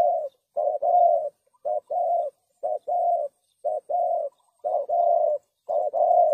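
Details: Lure call of a spotted dove used for dove trapping: a clean, steady series of about six low cooing phrases, each a clipped note then a longer drawn-out coo, repeated roughly once a second.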